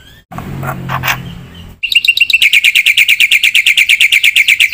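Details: Black-winged myna in energetic song full of mimicked filler: after a brief murmur of background noise, a long, rapid, even series of loud chirping notes pours out at roughly three per second.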